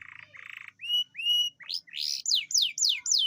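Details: An Atlantic canary's rolling song meant to spur lazy canaries into singing: two buzzy rasping notes, two drawn-out rising whistles, then loud downward-slurred notes repeated about three times a second.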